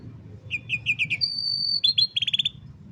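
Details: Canary song for training young canaries, cellphone recording: a short run of rising whistled syllables, a long steady high note, then a rapid pulsed trill of bright repeated notes over faint low hum.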